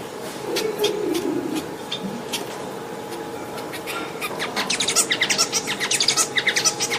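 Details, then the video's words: A Bengalese finch (domestic white-rumped munia) song builds into a fast run of scratchy, buzzy notes, about three or four per second, over a steady hum and low rumbling noise. "صوت طائر الموانو البنغالي"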